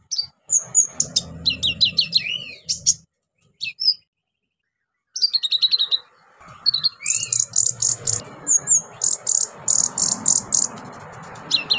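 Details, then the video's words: Orange-headed thrush singing vigorously, a song used to stimulate silent birds to sing. It gives rapid, varied, high whistles, trills and chattering phrases in bursts, with a brief pause midway and dense repeated notes toward the end. "KONIN GACOR NEMBAK ISIAN PANCINGAN KONIN MACET BUNYI"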